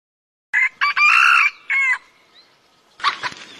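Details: Red junglefowl crowing: a loud, harsh crow in several ragged segments lasting about a second and a half, followed by a quieter, rougher burst after a short pause.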